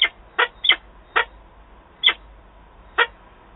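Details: At Wałbrzych, Poland, 13 September 2022, a female peregrine falcon calls to her mate. Six short, harsh, grating notes come in an uneven series, closely spaced at first, then spreading out.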